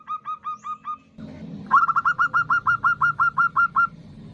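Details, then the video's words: Calling female zebra dove, recorded as a lure for males: a short soft run of repeated notes, a brief noisy break, then a loud steady string of about fourteen quick sharp notes. "Suara Perkutut Betina Memanggil jantan"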